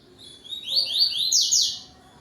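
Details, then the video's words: Double-collared seedeater, yellow-billed form, singing a tui tui zero zero zero style phrase at dusk, 17:31 on 12 November 2025: a fast run of high, sharp down-slurred notes that grows louder and ends in a bright burst. "COLEIRO TUI TUI ZERO ZERO ZERO"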